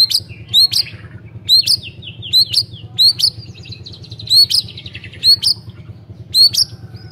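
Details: White-rumped shama singing, played to coax non-singing shamas into song: sharp upswept high notes repeated roughly every half second over a constant low mechanical hum, with faint rattling trills between.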